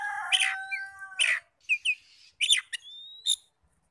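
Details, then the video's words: Oriental magpie-robin singing in a lure meant to make other magpie-robins reply, with a held steady tone, harsh loud bursts, paired short slurred whistles and a thin rising whistle closing on a sharp chirp. "PANCINGAN NAIKAN EMOSI KACER 100% IKUT NYAUT NGEPLONG"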